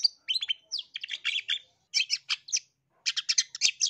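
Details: Long-tailed shrike in an East Java style lure and master recording meant to make other shrikes sing aggressively: rapid bursts of harsh, scratchy chattering notes in quick clusters, with short pauses between phrases.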